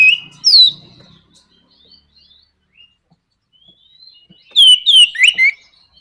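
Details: Orange-headed thrush in nraktak konslet style, a provocation song meant to push other thrushes into eager singing. High, sharply slurred whistles open the clip. A quiet stretch of faint thin notes follows, then a closing cluster of loud down-slurred whistles.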